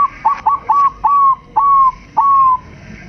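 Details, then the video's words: Zebra dove of a Bangkok crossbreed line, a caged and persistent singer used to spur other doves, delivers seven cooing notes. Short clipped notes come first, then three long, level, gently falling whistles spaced about half a second apart. "Perkutut Bangkok Uji Mental"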